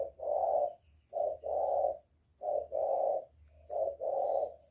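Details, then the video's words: Spotted dove calling to stimulate birds: paired hoarse coos, a short note then a longer one, repeated roughly every 1.3 seconds over a faint low hum. "Cu Gáy Giọng Cực hay kích bổi hiệu quả nhất, terkukur"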